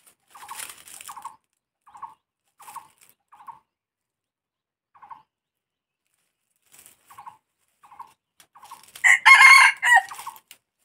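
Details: Short clucking notes spaced under a second apart lead into a loud, rasping red junglefowl crow near the end, a rough multi-syllable phrase with a sustained middle, then quiet.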